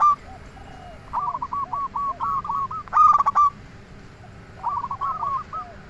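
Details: Lure song of a local zebra dove, used to provoke other doves into calling; a run of gentle repeated coos, a loud rasping cluster near the middle, then another short coo series, with low background rumble.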